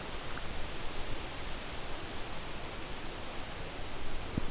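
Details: Soft outdoor rustling and broad background hiss, with one brief thump near the end and no animal voice.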